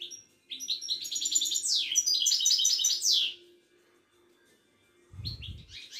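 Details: Moroccan Widani goldfinch pouring out a long, dense twittering phrase of bright chirps and falling slurs for about three seconds, then quiet, a low thump and a few more notes.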